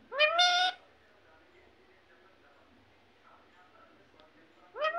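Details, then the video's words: A parrot imitating speech, saying words such as "mithu" and "mummy": a loud two-syllable utterance with clear harmonic tones at the start, a long quiet gap with faint background noise, then another syllable beginning at the end. "mithu mithu mummy mummy"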